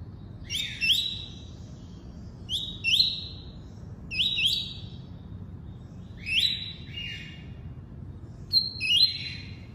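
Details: Double-collared seedeater, tuí-tuí song type, repeating a two-note phrase about every two seconds: a sharp rising note, then a flat high whistle, five times over a soft low hum.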